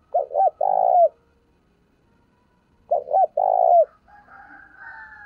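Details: Spotted dove used as a decoy bird, calling to lure wild doves: short cooing phrases, a few quick notes then a long throaty coo ending in a drooping note, repeated twice with a pause between, faint other bird calls after.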